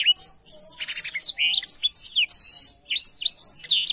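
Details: Energetic Black-throated canary song used to tutor young canaries: rapid high whistled notes, some rising and some falling, mixed with a buzzy rattle and a fast stuttered trill, delivered almost without pause.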